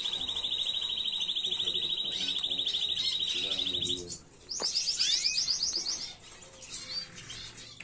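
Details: Canary singing an error-free tutor song meant for teaching fledglings, 2022: a long, steady, rapid trill held about four seconds, then a quick switch to bright downward-sweeping notes repeated in a fast series, fading at the end.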